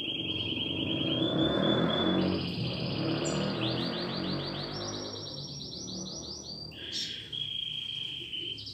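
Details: Domestic canary in training, listening to played song recordings and singing along: a series of rapid pulsed trill phrases stepping up in pitch, over low background noise.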